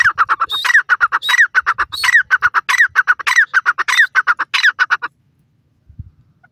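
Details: Francolin, called dakhni teetar, calling in grass: a fast, harsh series of repeated ringing notes. Some notes are slurred and rising-falling, and they run steadily for about five seconds before silence.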